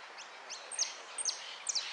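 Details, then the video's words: Contest-singing European goldfinch, repique song style, 03 02 13: three high, bright, falling notes about half a second apart, each with a faint lead-in chirp, against constant low hiss. "Amarillo de Repique"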